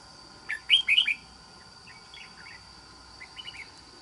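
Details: Red-whiskered bulbul with an island-forest voice, wild-caught: a few quick bright chirped notes, then softer scattered chirps, over a faint steady electrical hum.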